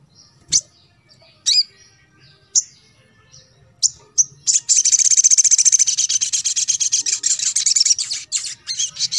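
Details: Crimson sunbird in a recording used to rouse birds that seldom sing: spaced sharp high chips every second or so, then a fast, even, buzzy high trill running for about five seconds.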